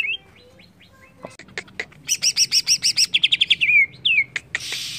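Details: Agitated song of a greater green leafbird: scattered thin notes, then a fast buzzy trill of stacked chirps, a quicker rattling series and sliding whistled notes, ending in a harsh burst.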